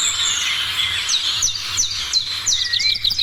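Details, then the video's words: Morning chorus of birds: quick high chirps repeated roughly three times a second, bright downward-slurred notes and a rising whistle near the end, faint low background hum. "Morning sounds of birds"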